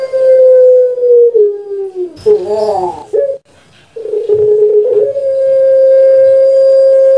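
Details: Javanese puter pelung dove, a kept long-voiced bird in a training recording, holding a steady coo that steps lower, broken by a warbling burst and a silence, then resuming with another sustained level tone.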